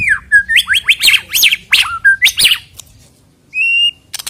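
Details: White-rumped shama song played to prompt singing before a songbird contest: a run of loud whistled notes sliding up and down, then a pause and one flat sustained whistle, with a few short clicks at the end.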